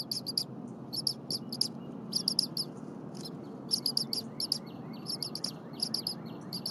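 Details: Bald eaglet chirping insistently as its mother, back from a break, preps leftover prey at the Berry College nest on a January 2022 morning. Groups of three to five thin, high chirps recur every second or so over low hum.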